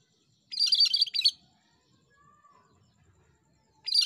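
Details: A cucak kerinci in full, lively song gives one loud, rapid, scratchy chattering phrase under a second long, then a quiet gap with a faint tonal whistle, then the next phrase begins.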